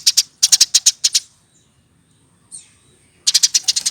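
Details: Hand-reared caged Eurasian tree sparrow, aged over a year, gives bursts of quick high chirps, then a pause with one faint thin note, then another rapid chirping series.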